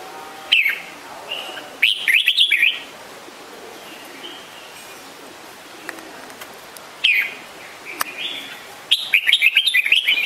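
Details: Red-whiskered bulbul giving short groups of bright chirping notes at intervals, separated by long quiet gaps filled with faint hiss, and ending with a lively run of rapid twittering notes.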